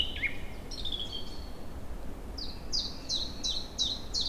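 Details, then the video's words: Early-spring bird song on a fine April day in forest and meadows, after the river ice has broken: a few sliding whistles, then a quick run of sharp, descending whistled notes over a low rushing background. "Songs birds in early spring."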